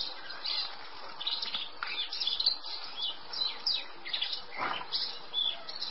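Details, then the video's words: Male Eurasian blackcap singing: a run of quick, scratchy chirps and short warbled phrases in the upper range, with a few louder downward sweeps near the end and steady background hiss throughout. "Barátposzáta hím"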